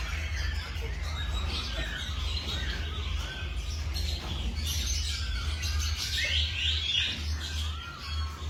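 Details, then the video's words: Morning birdsong with many mixed chirps, twitters and short whistled notes from several birds at once, above a constant low droning hum. "Tiếng Chim Hot Vào Buổi Sáng"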